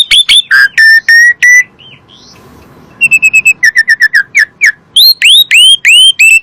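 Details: Asian pied starling song used as a lure to get caged birds singing: loud clipped whistles, a quiet gap, then rapid bursts of short notes followed by a string of upswept whistled phrases.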